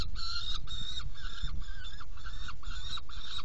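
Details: Saker falcon at its nest box while being fed, 17 June 2018 at 10:31; six loud, raspy, drawn calls, each about half a second, spaced evenly, with low rumbling noise underneath.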